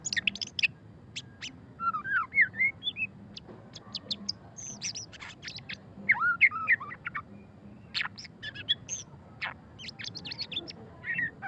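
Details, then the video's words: White-rumped shama, or murai batu, giving ngeriwik-style song: clusters of sharp high clicks and chips mixed with short looping whistled phrases, delivered in rapid bursts with brief pauses. "suara kicauan burung murai batu pastol ngeriwik - white-rumped shama"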